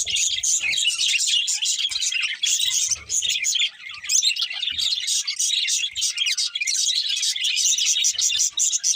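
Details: Pet budgerigars singing happily while eating; dense continuous warbling chatter of many birds, rapid chirps and squeaky trills overlapping throughout, with faint low thumps.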